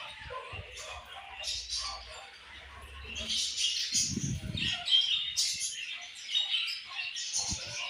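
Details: Group of budgerigars chirping, high chattering warbles and sharp squeaks overlapping steadily, with a short burst of low rustling midway.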